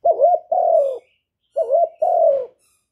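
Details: Spotted dove, song style called 'hạp Bổi' and used to lure doves during trapping: two phrases of a wavering, bouncing coo run straight into a longer, mellow, downward-sliding coo.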